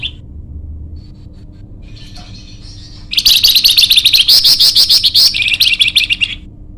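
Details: Flamboyan bird, a lively loud singer kept for luring or training other birds, giving a dense burst of rapid high chirps and trills after a quiet start with a few faint thin notes; a steady low hum runs underneath.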